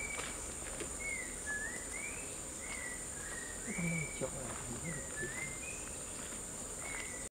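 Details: Male blue-rumped parrot feeding on starfruit in forest in Singapore: short, rising whistled notes, some paired, given every second or so, over a steady high insect drone and faint rustling.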